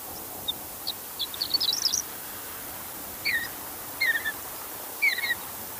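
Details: Mountain bluebird singing in open high-altitude country of western North America: soft, short chirped and warbled phrases, a rising run of notes, then three separated little down-slurred bursts, over a steady faint hiss.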